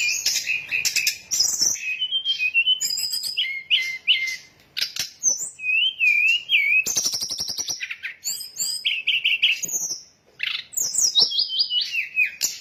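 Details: Sooty-headed bulbul lure song played so birds swoop in at once; long, varied medley of wavy whistles, buzzy trills and sharp chirps, with brief pauses between phrases.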